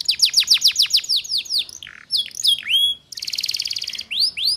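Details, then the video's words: Canary lure song for young canaries to quickly learn the ngeriwik style: fast series of sharp descending chirps, a low buzzy note, upswept whistles, then a dense high rattling trill and final rising slurs. "Suara Pancingan KENARI Paud Cepat Belajar BUNYI Ngeriwik"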